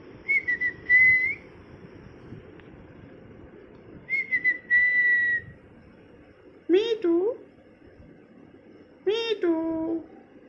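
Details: Indoor pet parrot, molting, alternates clear whistled phrases that hold level then dip slightly, repeated twice, with two harsher upward-sweeping squawking calls later on, separated by pauses.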